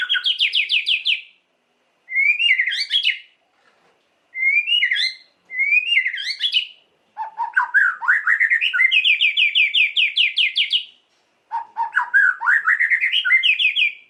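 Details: White-rumped shama song meant to provoke emotion: loud varied phrases of fast rising trills and sweeping whistles, separated by short pauses, with a long rapid rattling series in the middle.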